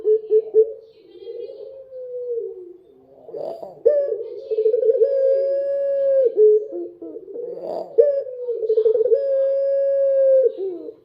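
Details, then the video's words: Dove heard singing at night, with a run of low, even, sustained coos interrupted twice by brief rough bursts, the phrase repeating. "suara burung puter malam hari//midnight show singing bird dove"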